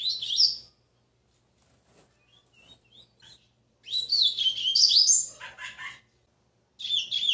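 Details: Six-month-old caged rusty-collared seedeater, in training, giving its first notes of the Tui Tui song style: high warbled twittering phrases that slide up and down, an opening burst, a pause with faint notes, then a longer run and a short closing phrase.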